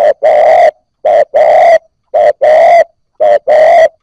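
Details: Newly caught spotted dove just starting to coo, used to stimulate other newly caught birds: four phrases, each a short low coo and then a longer throaty coo, about one phrase per second, nothing else heard.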